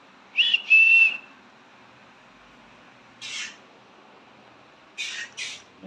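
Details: Pet green-cheeked conure calling its owner: a short rising whistle then a flat sustained whistle, followed by scattered brief harsh chirps after a pause.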